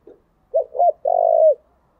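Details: Spotted dove's gáy gọi, gù and thúc calls used for luring; a faint soft note, then two short arched coos and a sustained, buzzy low coo that dips at the end.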